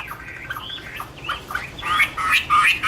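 Chinese Hwamei singing a rich, varied run of loud slurred whistles and rough notes, rising and falling quickly and growing stronger toward the end.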